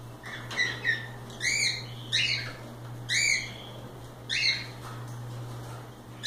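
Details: Free-roaming cockatiels playing indoors, giving spaced arched whistled calls roughly every second, with a steady low hum in the background.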